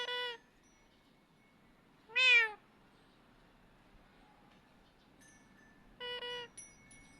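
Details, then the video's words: Parrot making cat sounds to call the cat: three meow-like calls, the middle one loudest and falling in pitch, the others flatter and steady, with faint thin high ringing tones in a quiet room. "Parrot speak, Clever Parrot making sound the cat សេកចេះនិយាយ ចេះធ្វើសម្លេង និងសត្វឆ្មា"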